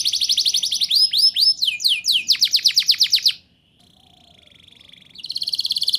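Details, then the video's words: Canary song used to prompt young canaries to sing: quick trills and sweeping whistled downslurs, a brief quiet buzzy passage, then a renewed loud trill. "Suara Burung Kenari Gacor Ngerol Nembak! Ampuh Untuk Pancingan Kenari Paud Biar Bunyi"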